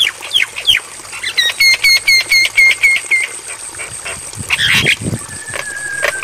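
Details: Javan myna training song for night playback: a few sharp notes, then a regular string of about eight identical ringing whistled notes, followed by a harsh rasping burst and a thin sustained whistle.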